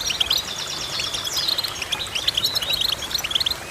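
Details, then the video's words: A goldfinch chirps steadily: chains of high, bell-like double notes and quick twitters, the phrases repeating almost without pause. "Goldfinch Chirping"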